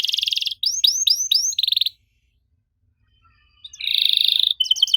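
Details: Canary with an unusual song for coaxing young canaries to respond: buzzy trill, four arched whistled notes, another buzz, a pause of silence, then a long buzzy trill and quick chirps.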